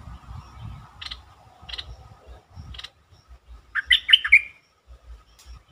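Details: Bulbul song used as a lure to stir up birds: three spaced short chirps, then a fast, rich, warbling phrase of tumbling notes, with low rumbling and tapping noises underneath.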